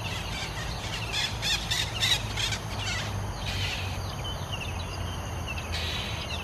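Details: Oriental magpie-robin singing in Singapore, a short run of bright repeated notes and warbles around the middle, over steady low hum and insect-like background noise.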